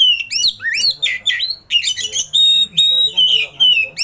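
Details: Dense oriental magpie-robin song rich in fill-in (isian) phrases, bird opening its tail: rapid ringing whistles, swooping slurs and buzzy chatter tumbling together almost without pause, with steady pure notes held near the end.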